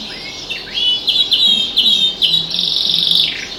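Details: Pet canary singing alongside other birds outside a window: clear whistled notes and slurred rising phrases near the top of its range, short buzzy trills, then a sustained rapid rolling trill ending in a downward slide.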